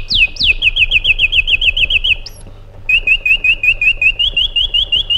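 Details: Iraqi bulbul opening with two steep falling whistles, then a long even trill of looped notes, a short break, and a second steady rolling series, with a constant low hum.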